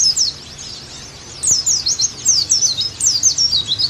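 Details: High, quick twittering Oriental white-eye song, used as tutor audio to restore a bird's full singing. Zigzag chirps tumble in bursts after a brief quiet opening, with a second burst starting near the end.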